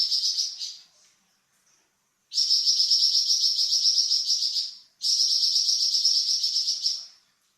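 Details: Flamboyan bird song used for training cucak ijo and magpie robin: a short high trill, a pause, then two long, fast, buzzy high trills of about two and a half seconds each.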